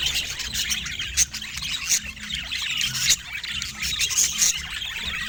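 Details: A budgerigar kept as a pet chatters in rapid, scratchy, high-pitched chirps. Several sharp, loud clicks or squawks cut through near the second, third and fourth seconds, over a faint low background hum.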